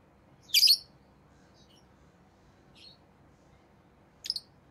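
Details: Chirping rosy-faced lovebirds of orange-faced green and red-headed green colouring: one loud, harsh, high chirp burst near the start, a faint note midway, and a brief double chirp near the end, with silence between.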